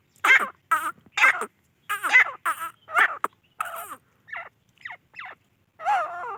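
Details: Grey francolin calling in a series of loud, harsh, chattering notes, each burst about half a second long, repeated roughly once a second with short gaps between them.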